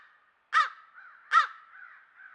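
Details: Two rasping caws about a second apart from crows calling at a watering hole, picked up by a trail camera at a country home, over a steady faint background tone.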